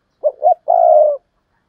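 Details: One spotted dove phrase, the 'gáy đôi' or 'hai hậu' call in the 'gáy thúc' and 'gáy gọi' styles. Two short rounded coos are followed by a longer steady hollow note that fades slightly downward.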